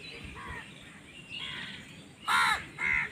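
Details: Crow from a recording of crows fighting for food, giving two harsh, harmonic caws near the end, the second shorter, after a stretch of faint chirping and background noise.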